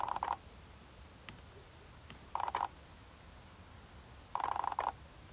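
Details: Rare Ferruginous ducks in the Capitanata wetlands, Italy, where a few pairs nest: three short, harsh, rattling croaks, each a quick burst of buzzy pulses, about two seconds apart over faint background hiss.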